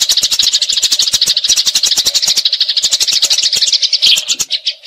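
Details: Eurasian tree sparrow in a fight, delivering a long rolling chatter meant as tutor song for magpie robins: rapid, harsh, repeated chips about three per second, thinning and fading near the end, with a steady hum.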